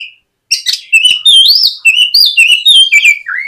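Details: White-rumped shama, a singing lure bird used to coax a young shama into song in the morning: rich, fast run of clear whistled phrases, sliding notes between high chirps, some rising and falling, with no other sounds.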